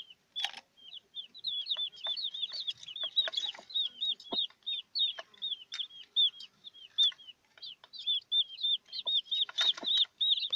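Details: Newborn chicks with their broody mother hen: continuous high, thin peeping, many short down-slurred cheeps overlapping in a steady chorus, with scattered soft clicks and taps.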